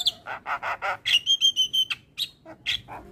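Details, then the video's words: Javan myna master song with full filler phrases, used to train other mynas: harsh buzzy bursts, then a level whistled tone repeated five times, followed by scattered sharp chips and short squeaky notes. "Semua Jalak LAngsung Respon Dengar MAsteran Jalak Kebo Full isian"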